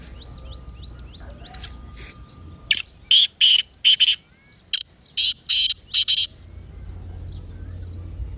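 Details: Partridge excited 'masti' call, intended to make a silent kept bird call. Two phrases of harsh, grating bursts, each about four notes, rising in loudness, with faint chirps of other birds before and after.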